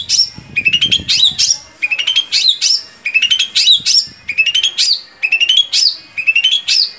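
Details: Long-tailed shrike song played to spur captive shrikes into singing: phrases repeat roughly every 0.8 seconds, each a quick burst of dry clicking ticks followed by a high, swooping, whistled slur. Faint low rumbling sits underneath.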